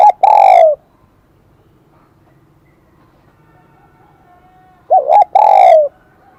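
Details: Wild-caught spotted dove with the high, bell-like Kim Đồng voice: the tail of one long coo, a pause of about four seconds, then a full phrase of two quick coos and a long falling coo.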